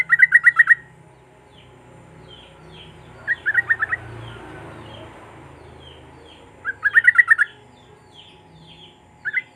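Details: Sooty-headed bulbul song for prompting silent birds: bursts of rapid, bubbly notes repeated about every three seconds, with faint softer notes between the bursts.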